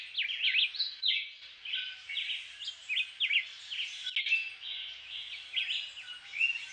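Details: Black-whiskered Vireo, a migrant returning to Puerto Rico each February to breed, singing: quick, slurred, mid-high whistled notes in short repeated phrases, almost without pause, over light background hiss.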